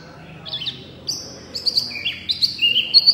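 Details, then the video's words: Energetic loud singing from a small wambi white-eye: long, thin high whistles on steady pitches, stepping up and down, mixed with short sharp chirps that grow more frequent toward the end. "wambi mini gacor full suara kencang"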